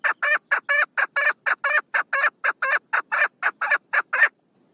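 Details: Female chukar partridge on 1 June 2022, delivering a brisk sequence of loud, buzzy chuck notes at roughly four per second, strongly rhythmic, then cutting off into quiet.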